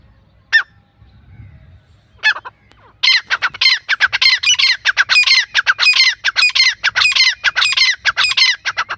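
Grey francolins, male and female, give loud, harsh, ringing calls repeated rapidly and almost continuously after a couple of isolated opening notes.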